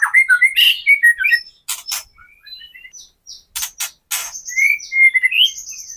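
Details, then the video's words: White-rumped shama kretekan, used to coax caged shamas into song and fighting mood; twisting whistled phrases, sharp crackling bursts with short pauses, then higher whistles and thin sustained tones. "KRETEKAN MURAI BATU GACOR AMPUH UNTUK PANCINGAN MURAI BATU AGAR BUNYI, EMOSI dan BONGKAR MATERI"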